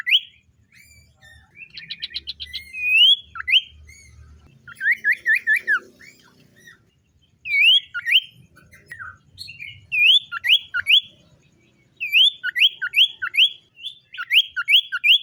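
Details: Common iora song in the morning from a captive bird: rapid series of sharp upslurred whistles repeated in quick runs, interspersed with a fast trill and chattering notes.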